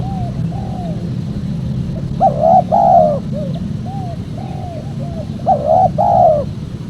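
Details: Spotted dove cooing, meant to attract wild doves for capture: several soft, short hooting notes at first, then two loud husky coo phrases about three seconds apart, with a constant low rumble beneath.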